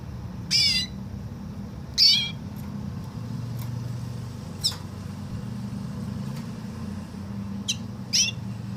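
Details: Canary singing woodlark-like phrases: short, bright, downward-sliding whistled notes spaced irregularly, a few louder ones separated by several seconds of fainter notes, over a low steady hum.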